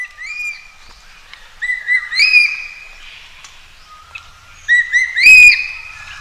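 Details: Common green magpie calling for a mate outdoors; loud ringing whistles, several rising or level, come in two clusters a few seconds apart, with a lower thin whistle between them and no other clear sounds.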